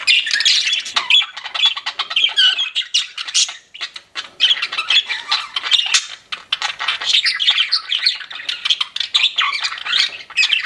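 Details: Pet budgerigars chirping together in a constant chatter of squeaky warbles and short sharp chirps. Nearly every note is high-pitched, with only brief lulls.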